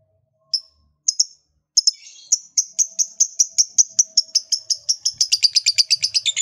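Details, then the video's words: Lovebird delivering a long trill said to spur other lovebirds to sing: a few separate high chirps, then a fast run of sharp, ringing notes that speeds up toward the end. "LOVEBIRD LOYO DIJAMIN JADI SEMANGAT BUNYI LAGI, Setelah Mendengar Suara Burung Lovebird Satu Ini"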